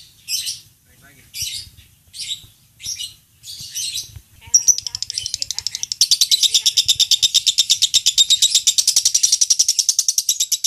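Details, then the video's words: Lovebird in contest-training song: several separate short shrill chirp bursts at first, then a long unbroken rapid trilling chatter of high notes. "Masteran loveBird Juara"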